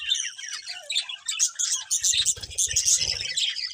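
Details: Budgies twitter and squawk in high overlapping chirps, joined midway by a low buzzing flutter.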